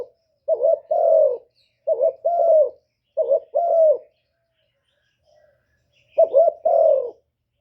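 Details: Spotted dove cooing, a call used to lure wild doves: four low, throaty two-part coo phrases, each a short note then a longer mellow one, spaced roughly every one and a half seconds with a pause before the last, on a quiet background.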